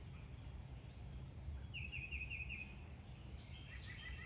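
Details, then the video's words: Smallish red-headed woodpecker in an Alabama backyard with suet feeders, fussing at a cat, dogs and people nearby. A quick run of about seven short chattering notes sounds faintly over steady low background noise. A woman calls it to come back. "Alabama Woodpecker (in my backyard) Tells My Cat, My Basenjis & Me to Go Away"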